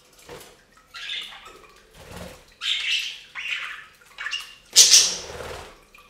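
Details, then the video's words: Budgerigars taking a bath on a fountain, with a series of rasping chirps and squawks between small splashes, ending in a loud harsh burst. "Best Budgie Bath EVER! + Budgie sounds"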